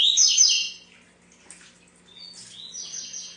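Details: Double-collared seedeater singing: a loud sweeping whistled phrase, a quiet gap with soft chips, then lighter trilled notes returning, over a steady low hum.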